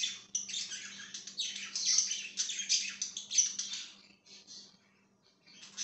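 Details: Budgerigar chirping in a steady stream of bright, scratchy warbles and quick squeaks that thin out near the end, with a low electrical hum underneath.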